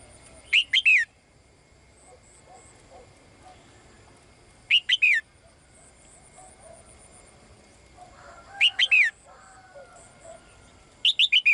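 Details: Caged female bird calling for the male: groups of three quick high chirps, sliding downward, repeated every few seconds, with soft murmuring background noise.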